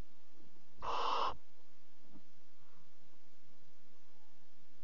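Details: Barn owl in a nest box at night, mother bringing a prey bird to her chick; a single harsh hissing screech of half a second, followed by near silence.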